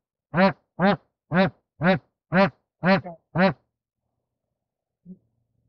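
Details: Bar-headed goose filmed during mating gives seven nasal, rich honks at a steady two per second, then a single faint honk after a short pause.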